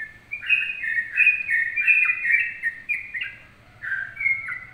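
A sooty-headed bulbul sings a lively run of bubbly, slurred whistled phrases, rising and falling quickly.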